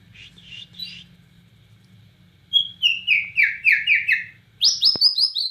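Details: Bornean white-rumped shama song, styled 'gacor nembak cililin': soft warbles over a low hum, then a quick run of six descending slurred notes and a burst of higher rising phrases, with a single click.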